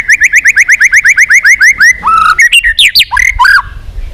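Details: White-rumped shama in contest-style song for voice training: a fast series of about eighteen identical rising whistled notes, then varied loud slurred whistles and warbles.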